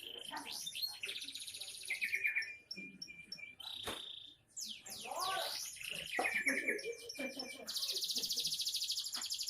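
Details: Young canary singing a varied, rich song: rapid trills, buzzy rolls and sweeping whistled notes, with a loud sustained high trill near the end and a brief broadband click midway.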